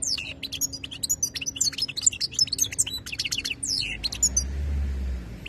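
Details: European goldfinch described as khalawi (wild), 2022: a rapid burst of twittering song with bright slurred notes, fading after about four seconds into a low rumble.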